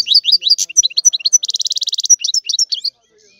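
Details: European goldfinch song: a quick string of bright chirps leading into a dense buzzy trill, then more liquid twittering notes before falling silent.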